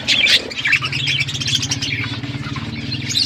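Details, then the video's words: Flock of budgerigars in an outdoor aviary chattering with soft scratchy warbles and chirps over a steady low mechanical hum. "Budgies in my outdoor aviary birds chirping sound"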